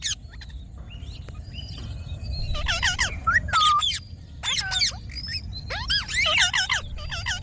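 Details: Green pet Indian ringneck parakeet: after a quiet start, loud, harsh syllables come in choppy clusters, with a few clean dipping whistles mixed in and low background noise.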